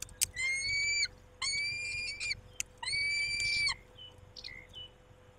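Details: Male peregrine falcon tending the females at the nest at 19:40, giving long harsh wailing calls, each about a second, three in a row, then a few short softer notes.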